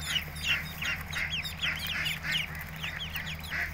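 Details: A group of ducklings gives continuous high peeps, each note sliding downward, several per second in an overlapping chatter, with a low steady mechanical hum underneath.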